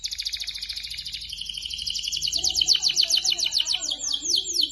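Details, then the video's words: Energetic canary song, played to spur other canaries into singing: a long rapid rolling trill of high notes that slows into distinct repeated sweeps, with faint lower warbles. "SUARA BURUNG KENARI GACOR"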